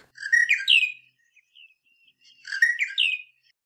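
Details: A Monotonous Lark from southern Africa gives a quick, jumbled phrase of bright chirps and whistles, repeated after about two seconds, with faint high notes between.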